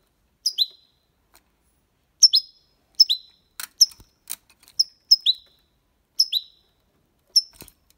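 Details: European goldfinch singing in the copia Málaga style, meant to stimulate young birds; clear high downslurred chirps, often paired, coming in steady short bursts, with a couple of brief broadband clicks midway.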